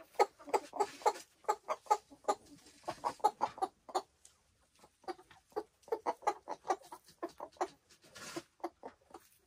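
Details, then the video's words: Silkie chickens on a homestead farm in the Vermont hills, clucking in short repeated bursts of soft low notes, several birds calling in quick succession with brief pauses between runs. "Relaxing Silkie Chicken Sounds"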